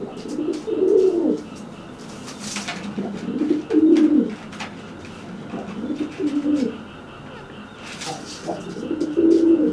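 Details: A pigeon puffs up and coos to threaten another, still wet from bathing and unable to fly; low rolling coo phrases about every two seconds, with occasional clatter indoors.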